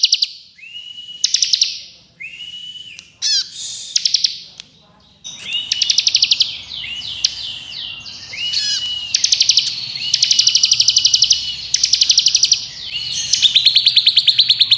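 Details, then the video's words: Ciblek kristal, the bar-winged prinia, delivering ngebren, nembak variations for training contest songbirds: rising whistled slurs and stuttering high trills, growing into dense rapid ticking bursts with a faint background hiss. "Ciblek Kristal Ngebren Nembak Variasi Speed Rapat"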